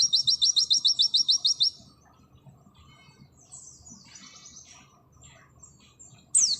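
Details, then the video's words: Pleci auri, an Oriental white-eye, opens with a loud, quick, evenly spaced string of high notes in nembak sejalur fashion, then softer scattered twitters, ending with one sharp downward whistle. "Masteran full materi burung pleci nembak sejalur Pleci auri"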